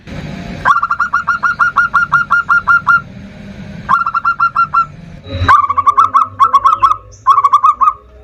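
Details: Local zebra dove singing a varied lure song meant to call and provoke a rival: rapid runs of short bubbly coos in three bursts, the later notes doubled and more stuttering, with low background rumble and a sharp click between bursts.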